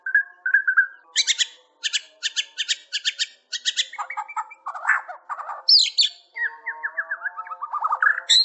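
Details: White-rumped shama in loud varied song: short whistled notes, then fast repeated high chirpy bursts, harsh rattling phrases and sweeping slurred whistles, delivered in a rich continuous stream.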